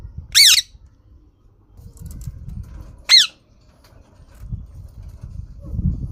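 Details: ['Green parrot giving two loud, harsh squawks about three seconds apart, with low murmuring noise in between.']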